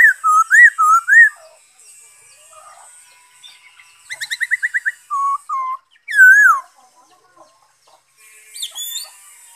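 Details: Black-throated laughingthrush song recorded 5 May 2021: loud clear whistled phrases with rising and falling slurs, a rapid run of short repeated notes near the middle, and a bright descending whistle, separated by brief pauses.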